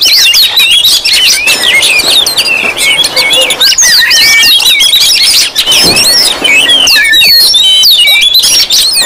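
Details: Oriental magpie-robins in a noisy group chorus, a lure to provoke other magpie-robins: dense overlapping whistled notes, rising and falling slurs and sharp chirps packed without pause, with a brief quieter gap near six seconds.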